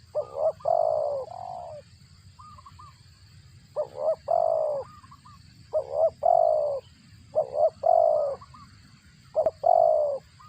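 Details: Spotted dove at the nest feeding its chicks, its voice compared to a cricket; soft burry coos in bursts of two to three notes, the last note longest, separated by brief silences.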